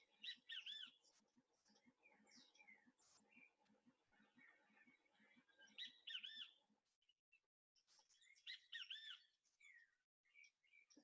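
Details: Great Kiskadee in built-up San Jose, Costa Rica, giving the call behind its common name. Three loud, harsh, arched bursts arrive several seconds apart over a low, rhythmic background pulse, with chickens in the background and scattered chirps from other birds.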